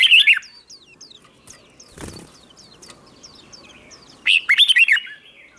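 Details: Red-whiskered bulbul contest-style morning song for training wild-caught birds: a short loud warble opening, a series of faint thin descending notes and a wing flutter, then another bright burst of rapid whistled notes.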